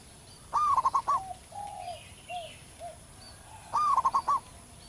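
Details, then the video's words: Wild zebra dove with a loud, long song suited to training other birds: two phrases of an upward coo and rapid bouncing notes, separated by softer lower coos from another dove. Distant high bird calls faintly present. "perkutut lokal manggung gacor di alam liar suara besar"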